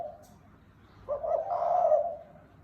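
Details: One spotted dove coo phrase in 'thúc bổi' style: a quick double note, then a long, smooth, low coo that fades at the end.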